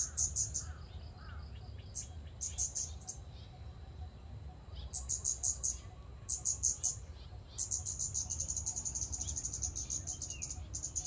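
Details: Scarlet-backed flowerpecker giving bursts of very high, thin, sharp ticking notes in rapid runs, separated by short pauses, over a low steady background rumble, with a few faint lower upslurred notes from another bird.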